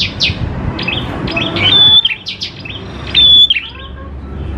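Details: Lively song of a prenjak klawu prinia, used to lure prinias into singing: clusters of quick high chirps and two loud sustained flat whistles, the second phrase louder, against a soft low hum.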